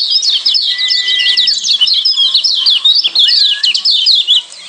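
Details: {'caption': 'Lombok yellow white-eye ciak combination meant to calm kept white-eyes and get them singing: a fast, continuous stream of sharp high chirps, interrupted by two long, level whistles.'}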